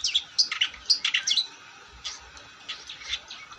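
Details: Long-tailed shrike singing actively: a quick string of bright chirps and squeaky notes over about a second and a half, then softer, scattered scratchy notes fading away.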